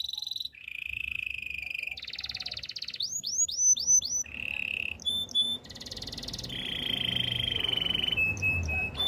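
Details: Canary training song moving through many phrases: rolling trills at shifting pitches, a run of rising whistled swoops, short clear whistles and long steady buzzy rolls, almost without pause.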